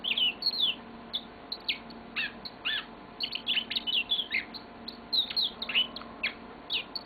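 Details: A pet yellow-fronted canary pours out its long song, a busy, varied run of bright chirps, buzzy trills and swooping whistles that keeps going across seven seconds with barely a break.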